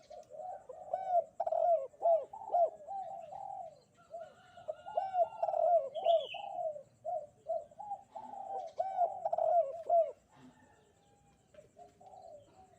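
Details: Spotted dove calling vigorously in bright morning light: three long series of throaty, rhythmic coos, with a brief higher bird chirp at about six seconds and a quieter ending.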